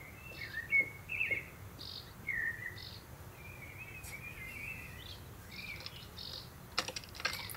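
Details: Common kestrel recorded in June 2024 while the father prepares food for the family; drawn-out, slightly wavering whining calls repeated irregularly, with faint higher chirps and light background hiss.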